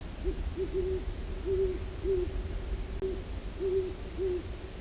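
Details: Great horned owl at Long Swamp Sanctuary, picked up by an acoustic monitor, gives soft, deep hoots in short groups, about eight notes in five seconds, over a steady low rumble.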